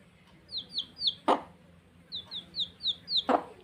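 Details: Playing baby chicks peep in quick runs of three or four thin, downward-sliding notes, broken by two sharp thuds against a faint low hum.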